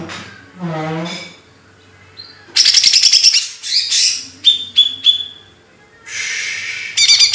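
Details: Bird song training material: a low nasal harmonic note, then rapid rattling chatter, piercing thin whistles and a hissing buzzy burst ending in a fast trill.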